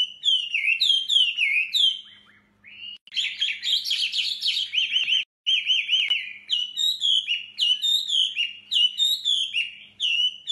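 A male hwamei sings a loud, rich stream of varied whistled phrases, fast rising and falling notes with brief pauses, over a faint low hum.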